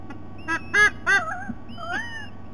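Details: White-bellied sea eagle recorded on 3 November 2020, giving a few short, nasal, honking notes rich in harmonics, then a drawn-out note that rises and falls, over a steady low hum.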